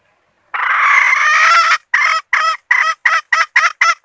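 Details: Red junglefowl hen used as a decoy to lure males: one long, harsh, drawn-out note of over a second, then a run of eight short, clipped cackling notes at a quickening pace, with a clean, quiet background.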